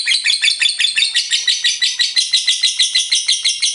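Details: Full ngekek from a lovebird, with steady, rhythmic, high-pitched rasping pulses, roughly three per second, in an unbroken chattering run.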